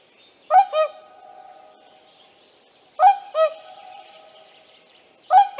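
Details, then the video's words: At Tāši, Latvia, on 15 May 2024, whooper swans with young give loud double trumpeting calls, a bright bugle followed by a lower note, every two to three seconds, with faint small-bird chatter behind. "ZIEMEĻU GULBIS / Cygnus cygnus / ar mazuļiem"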